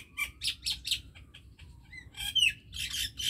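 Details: Common myna singing: a rapid jumble of loud broadband chirps and short whistled notes, with bursts of harsh rasping syllables; a quiet low hum in the background.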